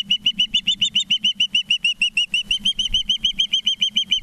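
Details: Osprey at a nest in Charlo, Montana, on September 19, 2023 at 20:14, giving a rapid, steady series of sharp, high whistled chirps, about five per second throughout.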